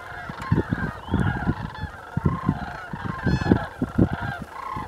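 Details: Sandhill cranes, part of a flock of about 550 in a field just west of Port Rowan, Norfolk County, Ontario, call in a dense overlapping chorus of hoarse, rolling trumpeting notes over a low rumble of wind.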